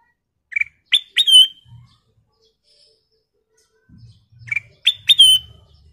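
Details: Sooty-headed bulbul singing actively, for training other birds: two matching bursts of three or four quick, bright whistles, the last note of each slurring downward. A long pause separates the bursts, with faint low rumbling.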